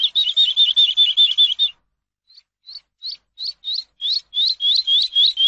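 A Eurasian skylark sings high, bright notes: first a fast, even trill of repeated notes, then a short pause and a quickening run of sharp rising chirps.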